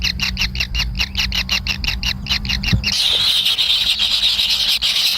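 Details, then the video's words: Kingfisher nestlings awaiting food from a parent first give a series of short, evenly spaced squeaky notes, about four per second. These notes then merge into a continuous hissing, rasping begging sound. "ANAK BURUNG KINGFISER LUCU ‼️TAK SABAR SAAT MAKAN"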